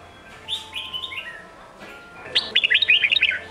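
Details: Sông Kôn red-whiskered bulbul song for training young birds: a soft, sliding warble, then a loud, quick string of sharp chirping notes near the end, over a faint steady tone.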